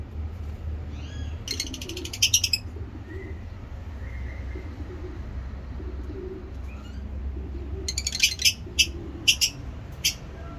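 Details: Lovebirds kept in a cage for breeding give clusters of sharp, rasping chirps in two bouts, a brief burst early and a longer run of rapid notes near the end, with low room hum.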